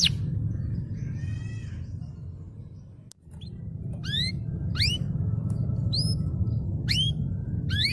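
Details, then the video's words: Canary training recording for silent birds: a faint soft trill early, a brief pause, then sharp rising whistled notes repeated roughly every second over a low hum. "Masteran kenari gacor"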